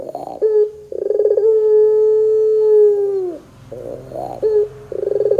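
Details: Lure recording of a puter dove: stuttered laughing pulses run into a long, level, low coo lasting about two seconds, ending with a downward slur, then more pulsed notes begin again.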